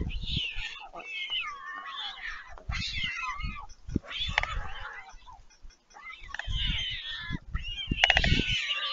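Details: At Leemansmolen, Vriezenveen, Netherlands, on 11 July 2022, fledged young storks return to a parent at the nest and are fed. Rapid, choppy, meow-like begging cries tumble over each other in quick bursts, mixed with low knocks.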